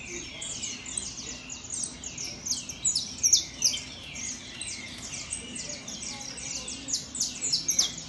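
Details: Competition-show saffron finch giving a fast, piercing series of high chirps and trills in clustered bursts with brief pauses, backed by faint low voices in the background.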